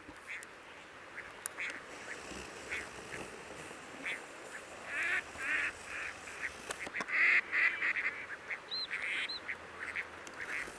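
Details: Crested ducks give harsh, nasal calls in irregular bursts, growing louder and busier toward the end, with a couple of high thin notes, recorded on 18 June during monitoring at the Coyle River estuary, Santa Cruz, Patagonia, Argentina.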